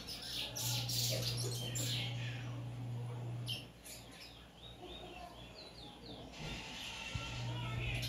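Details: Captive Eurasian bullfinch on its third day in a cage giving quick, high chirping notes in busy bursts, with a steady low electrical hum underneath at times.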